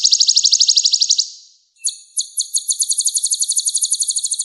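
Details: Van Hasselt's sunbird, kept as a vocal tutor with a rich repertoire, delivering a rapid buzzing trill that fades, then a few spaced sharp notes accelerating into a sustained high rattling trill.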